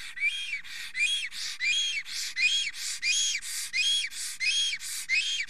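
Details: Excited male Estonian black stork singing at the nest while a female is near, morning of 30 April 2020. Steady run of breathy, whistling wheezes, about one and a half per second, with alternating arched tones.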